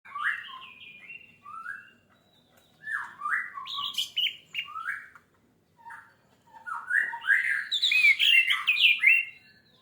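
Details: Orange-headed thrush song used as a lure to trigger other birds into singing: varied whistled and slurred phrases between low and high pitch, delivered in bursts separated by short pauses, with a louder, denser run of notes near the end.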